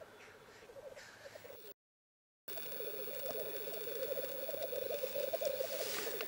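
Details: Black grouse cocks in courtship display and fights at the lek: a steady, rolling bubbling chorus, cut off briefly by a silent gap, then resuming louder with a hiss near the end.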